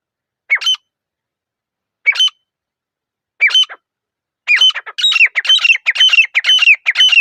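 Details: Three spaced, single harsh notes from a grey francolin build into a loud, rhythmic chain of creaking, squawky phrases, each topped by a thin ringing tone. The background is quiet.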